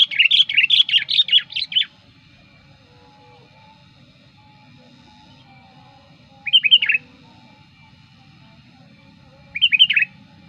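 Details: Lure sooty-headed bulbul calling hard at approaching wild birds: a longer run of lively chattering whistled notes, then two brief bubbly phrases after pauses of several seconds, against a soft low rumble.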